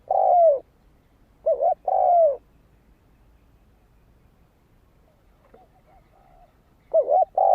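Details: Spotted dove giving lure song to call in wild birds: low rounded coos, a wavering note and a long descending coo, with a long pause holding only faint distant cooing before the phrase resumes.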